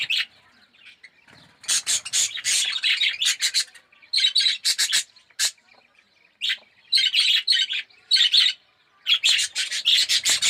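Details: Yellow Australian red-eyed budgerigars in an aviary colony, chattering in separate bursts of squawky warbling notes every second or two, separated by short quiet gaps.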